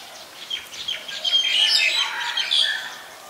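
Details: Black-collared starling, Ubon Ratchathani, Thailand, 25 December 2019: a chattering run of harsh notes and whistled squeaks building into a dense, scratchy phrase, with faint background birds.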